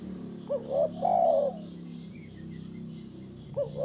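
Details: Spotted dove in tekukur kuk 1 style, for getting other doves to sing: brief rising notes and one drawn-out coo, partly masked by a strong low hum.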